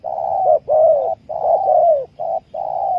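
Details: Spotted dove used as a trapping lure, giving a dense string of long hoarse coos broken by short dips, calling almost continuously through the whole stretch.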